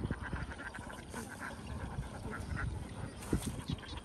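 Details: Vietnamese farm flock of many young ducks, an unbroken chorus of clipped, raspy quacks overlapping one another, with a few sharper louder calls toward the end.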